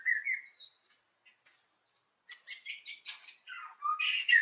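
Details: White-rumped shama morning song used as a lure to get other shamas to sing along: clear whistled phrases, a pause with faint chips, then a rapid jumble of varied high chirps, trills and slurred whistles.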